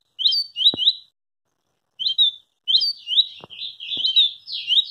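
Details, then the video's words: A double-collared seedeater sings fast bursts of high, slurred chirps that rush into a dense run at the end, with a few sharp clicks between phrases. "SERÁ QUE VC JÁ VIU UM COLEIRO MAIS RÁPIDO?"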